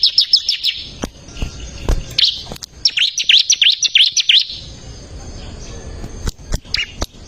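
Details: Active bar-winged prinia song from a training recording for caged birds: bursts of quick, high, sharply rising and falling notes repeated several times a second, separated by pauses. Loud clicks sound in between.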